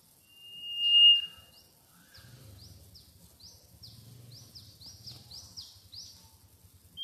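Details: Mangrove whistler: a long, steady whistled note, then a quick series of high, thin, down-slurred notes. A low rumbling noise runs underneath.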